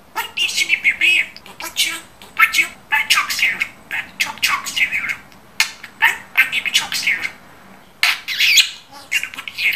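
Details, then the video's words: A pet budgerigar chatters Turkish words in a long run of quick, raspy, high syllables, grouped into phrases broken by a few short silences, with an echoey small-room feel. "BEN ANNEMİN OĞLUYUM, BEN AKILLI BİR KUŞUM"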